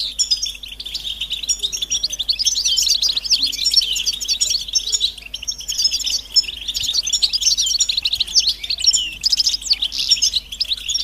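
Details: European goldfinch readiness and mating chatter, used to get a quiet male singing: clean, high-pitched twittering in rapid bursts, flowing almost without pause and swelling in the middle, over a quiet background.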